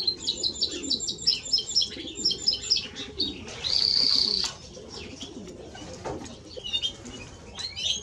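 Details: Timbrado Español canary singing quieter, choppy trilled notes, a sustained pure whistle in the middle, then scattered soft chirps against a low background hum.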